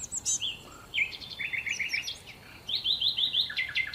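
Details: Sparrows eat leftover breakfast on the tables at a hotel in Marsa Alam, chirping in quick, high bursts with short runs of repeated notes and scattered tweets from several birds at once.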